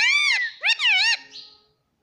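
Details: Pet green parrot (mittu) talking indoors, mimicking human speech: a high-pitched, strongly harmonic, voice-like utterance of two or three syllables with a rising and falling tone, then fading.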